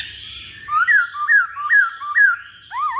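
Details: Poksay Hongkong laughingthrush singing vigorously: a run of four rising, slurred whistled notes, evenly spaced about half a second apart, then a sharper wavering double whistle at the end.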